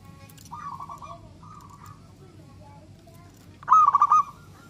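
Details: Local zebra dove in full song, used to prompt other doves to sing: soft trilled coos near the start, then a loud rapid stuttering burst of pulsed notes ending in a rolling trill, with a low hum beneath.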